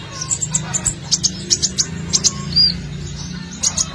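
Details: Lure recording of an Olive-backed sunbird singing to draw other birds in: rapid high, thin ticks and chirps, with one brief buzzy slurred note midway, over a faint low hum.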